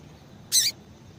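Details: One sharp, high-pitched peep from a female double-collared seedeater, the kind of call breeders use to get a male hopping and singing, brief and clean against soft hiss.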